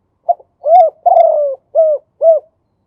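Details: Male spotted dove from Thailand singing in the 'khu ang' manner: a brief double pip, a rounded coo, a long downslurred rolling coo, then two crisp arched coos ending the phrase.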